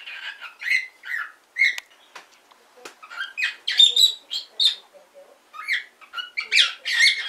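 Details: Pet cockatiel practising talking, producing a string of separate squeaky, speech-like syllables and short whistles, varied in pitch, with brief gaps between each.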